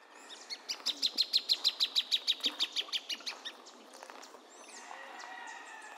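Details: Plain thornbird singing a rapid run of about sixteen sharp, evenly spaced notes, roughly three per second, that swell then fade over three seconds; faint twittering and a soft whistle from other birds follow.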